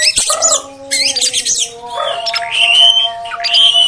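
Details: Oriental magpie-robin, the female's voice used to provoke males: harsh scratchy bursts followed by long, slurred, wavering whistles, over a constant low hum.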